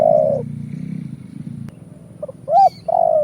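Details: Lure call of a Spotted dove (tekukur), 'kuk 1' type: a falling coo ends, then after a pause two short notes lead into another long coo, over low humming background noise.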